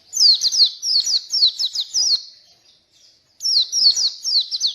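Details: ['Oriental white-eye in full, lively song for luring and tutoring reluctant singers: a burst of shrill, quickly repeated descending chirps, a pause of over a second, then the twittering resumes just as fast.']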